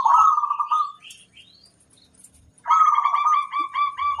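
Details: Local zebra dove in kerot koar song, meant to stir mood and breeding desire in other doves: two bursts of rich, rolling trilled cooing separated by a quiet gap, with a few high chirps.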